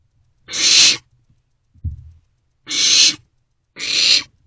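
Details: Barn owlets in a nest box at night on 27 March 2024, sharing food; three harsh breathy screeches, each about half a second long, with a brief low thump between the first two.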